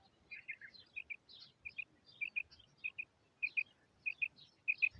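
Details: Female quail calling in a quiet setting: crisp doubled notes repeated roughly every half second to second, with soft higher twitters from other small birds faintly in the background.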